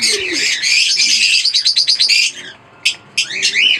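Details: A pair of green Fischer's lovebirds chattering in a dense, high-pitched stream of shrill chirps and squeaks, ending in a few sharp, separate notes.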